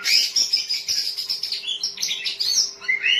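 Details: Oriental magpie-robin delivering a rich, dense run of high whistles and chattering notes without pause, the lavish 'isian' song used as a master for training birds, over a steady faint hum.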